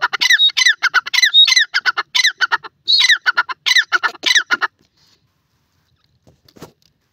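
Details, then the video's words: Francolin (teetar) kept at home giving a rapid chattering run of harsh, ringing squawks for nearly five seconds, then falling quiet apart from a faint scrape. "Teetar Ka Boli - Enchanting Vocalizations of Francolinus Birds"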